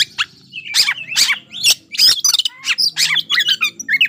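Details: White-rumped shama, locally kacer, singing a provoking song meant to raise the emotion of a rival bird and spur it to fight; varied bursts of harsh chattering, buzzy notes and short whistles, delivered rapidly in quick succession.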